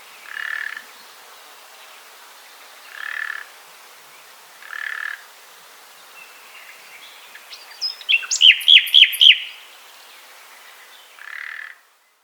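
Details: Common nightingale song in Poland, called the king of night concerts: short, hoarse notes repeated every two seconds, then a fast, loud burst of rich, ringing strokes before one last note.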